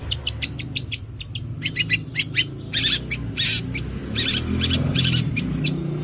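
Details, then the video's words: Fighter-type long-tailed shrike from Madura giving its Greja sambung Kunti song: fast rattling series of clipped high notes, broadening into harsher rasps midway, backed by a strong low droning hum. "Cendet pastol Madura suara Greja sambung Kunti gacor fighter"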